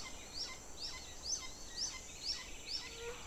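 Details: Hawks feeding chicks, with a series of shrill, high, falling squeals repeated roughly every half second, faint against a steady hiss.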